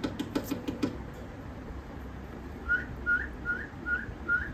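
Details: Tame pet cockatiel trying to impress, indoors in a small room: a run of five short, rising whistled notes about every half second fills the second half, after some low murmuring at the start.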